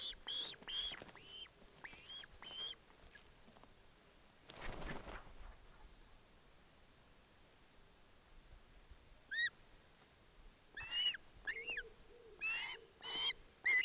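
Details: Begging osprey chick at a Barlinecka Forest nest, its mother present, taking fish from the father: clusters of high whistled chirps at the start and end, separated by a quiet stretch with one brief rustling burst.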